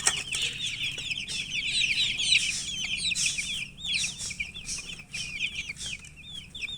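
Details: A group of chicks peeping constantly: many high, short, upward-flicking chirps overlapping in a busy chorus, with faint rustling.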